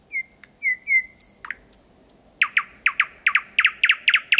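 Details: Thrush nightingale in song after midnight, 8 May 2020, Kiili parish, at 4–5 metres: gentle whistles and high slurred notes, then a rhythmic train of hard repeated chock notes.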